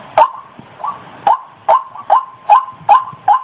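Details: White-breasted waterhen calling for use as a bird lure: short, harsh notes with a rising twist, spaced about every 0.4 seconds in a slightly uneven rhythm.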